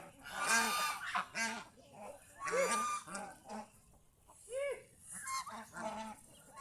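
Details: Several geese roaming the fields around a house honk loudly and repeatedly, roughly once a second with a short pause mid-way; each call is nasal and brassy with arched, rich overtones, and some calls overlap.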